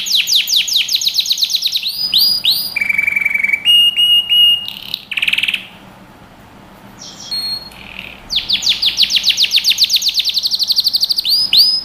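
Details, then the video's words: Canary song from a training recording for young birds, mixing fast trills, rolled looping notes, flat whistles and a buzzy burst. A quiet gap follows, then renewed rapid trilling. "Canary Singing | Melodies Canary Bird Song"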